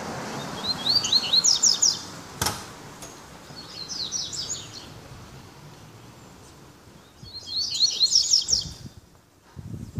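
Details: Double-collared seedeater (coleiro) singing three quick bursts of high, twittering notes a few seconds apart, in the "tic tac" song style, while loose rather than caged; one sharp click between phrases.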